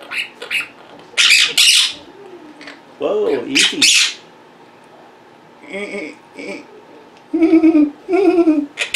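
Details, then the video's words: Indoor pet Quaker parrots being very vocal and mimicking: harsh squawks mixed with lower harmonic speech-like mimicry phrases and gaps of quiet between bursts. "Quaker Parrots Being Very Vocal and Mimicking"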